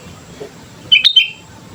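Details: Sooty-headed bulbul lure song: a single swift phrase of three bright whistled notes, bubbly and clear, standing out above soft low background noise.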